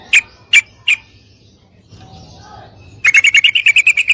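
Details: Female sooty-headed bulbul calling a male to mate; three single separate chirps, then a pause, then a rapid ringing run of about a dozen notes.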